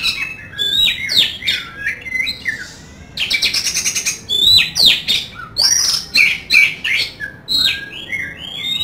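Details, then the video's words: Oriental magpie-robin (kacer) singing full and loud: short whistled slurs and twangy notes, a fast mechanical rattle near the middle, then ringing rising and falling whistles repeated in quick phrases. "Kacer Gacor Full Nembak Isian Kasar | Ampuh Pancingan Dan Tes Mental Kacer"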